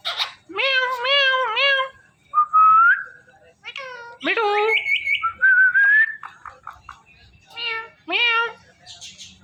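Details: Male and female pet ringneck parrots mating in front of a mirror: nasal, wavering harmonic mewing calls alternate with short rising whistles and a higher squeak, in bursts separated by brief pauses, indoors.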